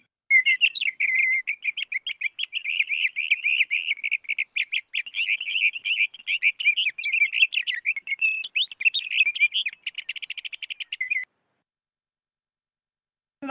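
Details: A Sage Thrasher in spring sagebrush country sings a long, unbroken run of rapid, high warbled phrases for about eleven seconds, ending in a buzzy trill. No other sounds are heard.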